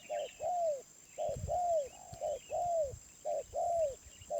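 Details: Wild spotted dove ('suara menengah', middle voice) cooing in a regular pattern: a short note paired with a longer arching coo, about once a second, with light twittering and a few soft thumps in the background.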